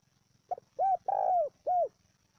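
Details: Spotted dove lure call for training decoy birds: a short soft note, then three mellow low coos, the middle one longest, each gently arched in pitch, against a quiet background.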